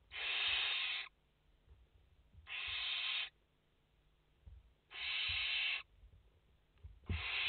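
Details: Rasping, snore-like hisses from five barn owl nestlings seen on a live nest feed, 29 August 2021. Each hiss lasts nearly a second and comes back about every two seconds, with faint low thumps in between.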